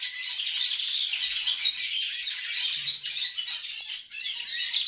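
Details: Caged domestic canary in an aviary singing goldfinch-like phrases, picked up naturally from a goldfinch housed above it; an unbroken stream of rapid high twitters and trills, blended with many other aviary birds singing at once.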